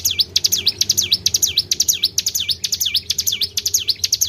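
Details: Luring call of a tribel bird: loud, bright whistled notes that dip and climb in V-shaped sweeps, repeated rapidly and steadily throughout, with a quiet low-pitched drone in the background.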